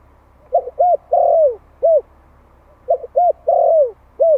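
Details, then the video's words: Decoy spotted dove of the Malai type, one year old, calling in Vietnam to attract wild doves. Two matching phrases about two seconds apart, each a stuttered pair, a short coo, a long drawn falling coo and a closing short coo. "Tiếng chim cu gáy Malai kích bổi - Thanh niên Malai 1 năm tuổi gáy gọi nghe giọng quá phê."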